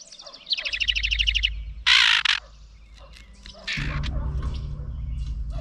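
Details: Angry house wren near its nest, scolding a GoPro Hero 9 Black placed beside it: a rapid high trill of evenly spaced notes, then a short harsh rasping burst, and later a second rasp over low rumbling background.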